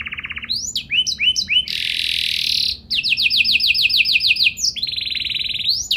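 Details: Energetic canary song with fancy melodic turns: a short rolled trill, bouncing swept notes, a dense buzzy burst, then long runs of rapid repeated chirps and another high trill.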